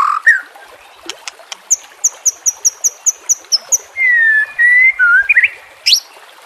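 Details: White-rumped shama song used as a training recording for captive birds, set over nature sounds with trickling water: a fast series of high repeated ticks, then long pure whistles and a sharp rising note.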